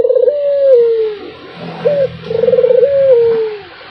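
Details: Barbary dove calling without pause, each coo a throaty pulsed roll that stretches into a long, gently descending note, preceded by a short separate note.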